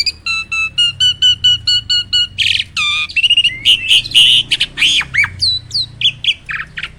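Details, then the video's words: Starling, a kept bird, singing as a tutor recording for reluctant singers: a row of evenly repeated, clear whistled notes with higher overtones, then a fast, varied run of buzzy chatters, squeaks and slurred whistles. "SOLUSI UNTUK BURUNG JALAK MALAS BUNYI!!"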